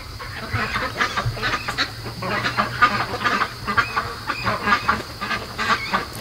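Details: Domestic ducks kept by a keeper, 73 days old, calling at 3 AM instead of sleeping; a dense, overlapping chorus of short raspy quacks and chatter with a steady low hum underneath.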